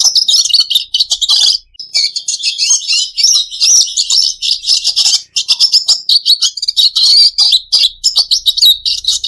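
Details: Pet red siskin pouring out a long, rapid warble of high chattering and buzzy notes in continuous bursts, with a short gap early on and a few sharp stutters.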